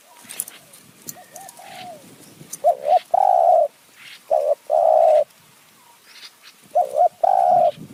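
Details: Spotted dove in Kanchanaburi's high mountain forest, Thailand, calling while a decoy bird lures wild doves; three paired phrases, each a short wavering coo followed by a long steady croo, over faint distant bird chirps.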